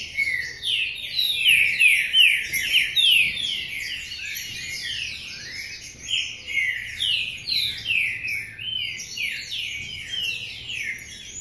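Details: A caged Paraná-type green-winged saltator (trinca-ferro), singing with a cover on its cage, gives a busy stream of loud, rich whistled phrases full of quick downward slurs, almost without pause, fading slightly near the end.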